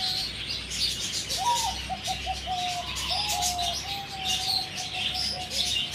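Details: Four-month-old zebra dove near Sanam Luang 2, 2 November 2025, giving a staccato run of short cooing notes that roll into longer level coos, over constant shrill high-pitched background chirping.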